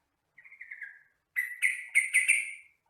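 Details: Sooty-headed bulbul, called trucukan or jogjog, recorded as training song for captive birds; a wavering, gently falling whistle is followed after a pause by a rich, bubbling run of five quick notes.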